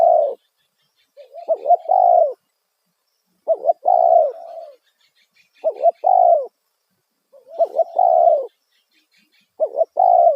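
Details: Spotted dove giving the loud 'kuk satu' lure call to attract wild doves. Regular phrases about every two seconds, each with a short quavering note and a strong, sustained falling coo, occasionally preceded by soft lead-in notes.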